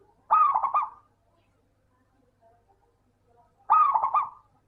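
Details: Local zebra dove singing, used as a lure to prompt lazy doves to sing: two short rolling coo phrases, each about a second long with stuttered beats, separated by a pause of roughly three seconds of quiet.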